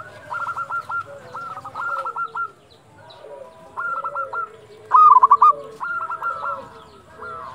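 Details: At dusk a local zebra dove gives short bursts of quick, hollow, stuttering coos. Softer answering phrases from other doves sound in the background between the louder runs.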